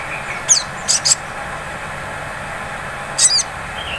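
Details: Sunbird 'ngleper' lure used to provoke 'ngriwik' song: a sharp high downslurred chirp, then a quick pair of thin high notes, a long gap, and another high chirp cluster, over faint hiss.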